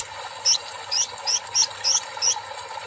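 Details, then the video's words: Kolibri ninja singing after a water-bath treatment; six very high, thin, sharp chirps, evenly spaced roughly every 0.35 seconds, over a soft steady background hum. "KOLIBRI NINJA GACOR SETELAH DI TERAPI AIR"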